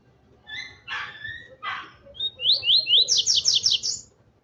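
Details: Male Double-collared seedeater (Sporophila caerulescens) singing excitedly at a loose female: a few harsh, buzzy chirps, then a fast run of bright, sweeping high notes about six per second.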